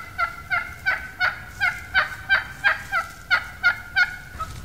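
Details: Wild turkey hen plain yelp, the basic turkey communication call used by hunters to attract gobblers. It is a steady, looped series of about a dozen raspy, evenly spaced yelps, roughly three per second, with no other sounds.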